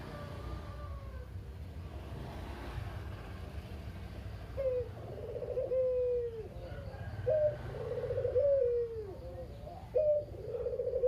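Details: Lone captive local Barbary dove (puter, kugeru), noted as very chatty, used to lure other doves into calling. After a few seconds of background hiss, cooing begins: rising notes, rolling purrs and long falling tones repeated several times.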